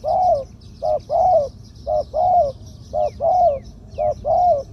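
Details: Medium-voiced spotted dove of the two-'kuk' 'khu-ang' style, a ground decoy bird, cooing in steady pairs: a short note then a longer drawn-out hollow coo, repeated four times at about one-second intervals, faint high chirps behind.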